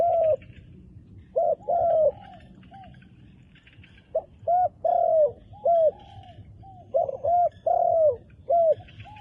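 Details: A wild dove with handsome black-spotted plumage, met in the forest, gives repeated short cooing notes, mostly single or paired hoots, with a longer drawn-out coo near the end; faint higher chirps sound in the background.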